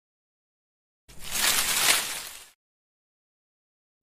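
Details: Rooster crowing once: a stuttered, broken opening followed by a long held, strained harmonic note lasting nearly a second, then silence until a new sound begins at the very end.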